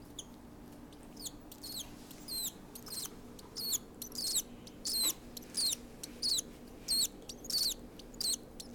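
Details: A 6-day-old cockatiel chick, hand-fed formula at 10 PM on a Friday evening, June 11, is described as mad and wanting more. It gives shrill, high, raspy calls about every 0.6 seconds, roughly thirteen in a row, over a faint low hum.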